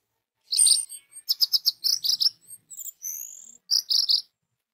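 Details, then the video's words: Lure song of an orange-headed thrush meant to make others of its kind sing: high, sharp repeated chirps in quick runs of four or five, a drawn-out whistle in the middle, then another rapid chirping run. "DENGAN SUARA ANIS MERAH INI 99% ANIS MERAH AUTO BUNYI DAN SINGSET"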